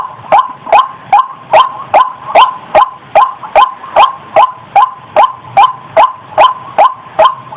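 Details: White-breasted waterhen lure call, a very regular series of sharp, harsh 'wak' notes repeated roughly two to three times per second without pause.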